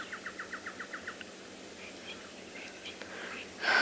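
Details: Woodland Kingfisher, just landed close by on a sunset game drive at Tswalu Kalahari Reserve, South Africa, 20 February, gives a quick run of about nine sharp, even notes over just over a second; a soft rustle and brief knock follow.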